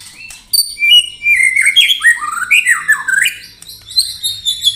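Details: White-rumped shama singing in the 'tembakan rapat' manner for contest training: a long flowing sequence of wavering, slurred whistles rising and falling, ending in high thin notes.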